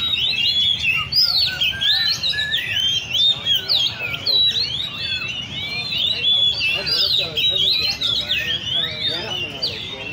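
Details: Several captive Oriental magpie-robins at a songbird café in Lê Thị Riêng park, Vietnam, sing at once in a dense, unbroken, overlapping stream of rich, varied whistles, slurs and chirps.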